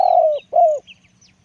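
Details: A big-voiced decoy spotted dove utters two low, mellow coos. The first is long and slowly falling, the second shorter and rising then falling. Faint high chirps come after.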